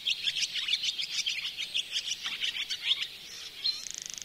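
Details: Barn swallow (Hirundo rustica) at a bird hide in Oostvaardersplassen, Netherlands, September 2016, twitters in a quick, chattering run of high, bright notes ending in a short dry buzzy rattle; nothing else heard.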